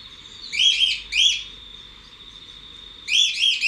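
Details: Cockatiel in an outdoor aviary, recorded from outside the enclosure: two loud, harsh, harmonic chirps at the start, a pause, then three more quick chirps at the end, over a steady high insect-like whine.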